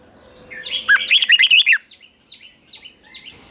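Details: Red-whiskered bulbul in morning song training for fighting song. One loud, rapid phrase of about six rolling fluty notes, followed by soft, short chirps.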